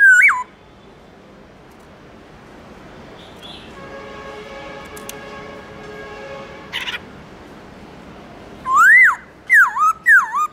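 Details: Black-throated laughingthrush giving a wild-style morning song. One looping whistle opens the stretch, then a long quiet gap with a faint hum, then three or four loud swooping whistles close it.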